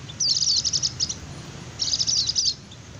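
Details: White-eye 'ngecir' song meant to lure wild birds and get quiet white-eyes singing: two quick, high, chattering twitter bursts, each under a second, separated by a pause, with faint low rumble beneath.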